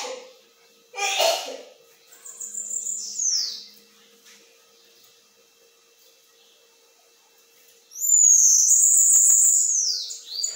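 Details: Bananaquit delivering metralhadora style song: after a short rustling noise, a high thin phrase slides down, then quiet. A loud sustained buzzy high trill follows with a downward flourish. A faint steady hum runs underneath.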